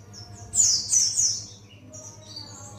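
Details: White-eye of the buxtoni form learning ngalas song: one loud, bright burst of high twittering notes, then softer scattered high chirps, with a faint steady hum in the background.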